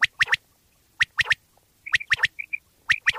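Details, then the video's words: Common quail in Pakistan, recorded as a hunting lure: crisp three-note phrases come roughly once a second, with a few soft doubled piping notes in between. "Bater wali Awaz mp3 / sounds of Quail mp3 / Pakistani Bater wali Awaz mp3"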